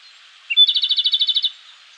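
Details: Wild Japanese robin singing energetically in a mountain forest of the Koshin region, Japan, early morning in May; a brief clear opening note leads into a fast, rattling trill of about twelve even notes lasting one second, with quiet background.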